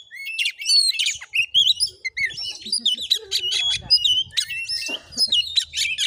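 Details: Fighting Oriental magpie-robin tested for voice in Muko Muko, Bengkulu, Indonesia: fast, shifting run of piercing whistles, buzzy chatter and clipped notes, barely pausing, with faint low background noise.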